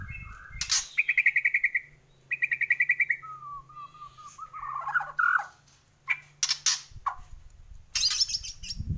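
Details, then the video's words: Energetic Bornean white-rumped shama song: two fast buzzy trills of rapidly repeated notes, then a run of lower whistles climbing in steps, ending in loud clicks and harsh bursts. "Murai Borneo Gacor"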